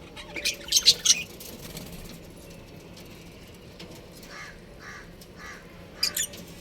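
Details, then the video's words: Budgerigars, a breeding pair, give a quick run of thin, high, squeaky chirps in the first second, then faint muffled notes, and one more sharp chirp near the end. "Cute Budgies Chirping Sounds"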